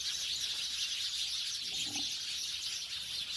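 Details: Village house sparrows chattering in a dense high chorus of quick overlapping chirps, with a brief lower sound in the middle.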